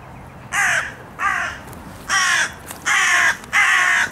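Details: Noisy carrion crows shouting in a park during nut feeding; five harsh, rasping caws in a row, each roughly a third of a second, spaced under a second apart, growing slightly longer toward the end.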